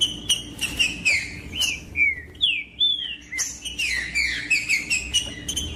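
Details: A captive green-winged saltator sings to rouse another cold caged bird of tournament breeders. Loud, rich whistled phrases drop in pitch, with a pause midway and then a fast run of descending notes.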